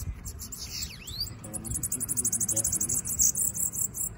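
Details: Bananaquit, called sibite, flying loose: a swooping slurred note followed by a long, fast, very high buzzy trill like an insect's, pulsing quickly, with faint low rumble beneath.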